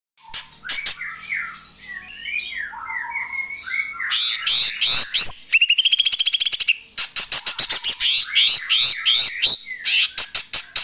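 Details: Greater green leafbird calling: a varied run of warbled and squawky notes, then a rapid buzzy trill, followed by a fast series of sharp clicking chips repeated several times a second.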